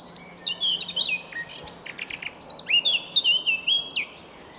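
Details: A Eurasian blackcap sings its morning song early in the morning in early May: a quick, scratchy warble that breaks into loud, clear fluting whistles sliding up and down, with a faint low hum underneath.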